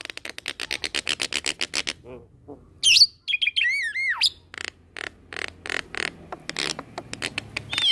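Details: Black-collared starling song in a tutor recording mixed with Nias myna and Nias × black-collared starling hybrid song with unique fill-in phrases: fast series of harsh buzzy notes, then rising and falling whistled slurs, then more rapid chattering pulses.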